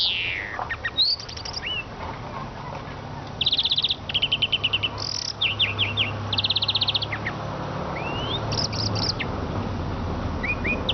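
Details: Eurasian siskin twittering with rising thin whistles, clipped trills and short buzzy rattles spread across the stretch, set against a low steady background rumble.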